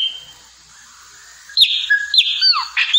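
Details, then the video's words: Chopi blackbird song: after a faint, thin steady tone, a loud burst of clear whistled notes breaks in, with sharp upward flicks and smooth descending slurs packed into about a second and a half, no other sounds evident. "Canto pássaro preto- papa arroz"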